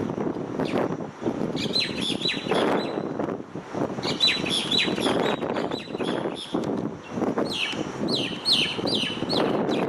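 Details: On an electric wire, a starling makes repeated bursts of sweet chirps and whistled notes, several clusters across the recording, against continuous low traffic rumble.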